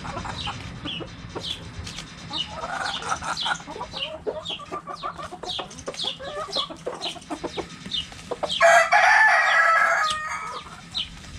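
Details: Backyard hens and roosters playing with a cabbage: a steady run of short clucks, then a loud, drawn-out rooster crow near the end, over many high, quick descending chirps.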